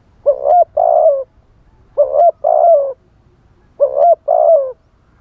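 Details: Live decoy spotted dove calling in wild-style phrasing to bring in wild doves: three clear two-part coos, a short hooting note then a longer falling burr, repeated roughly every two seconds.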